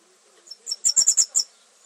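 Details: Red fody, also called Madagascar fody, singing: a short burst of about seven very high, thin, insect-like sizzling notes in quick succession. The notes grow louder, then stop abruptly. Near-silent background.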